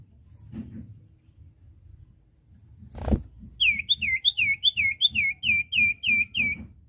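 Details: Common iora song meant to train untrained caged birds to sing: after a soft thump, a lively run of about twelve sharp whistled notes, each sliding downward, repeated several times a second.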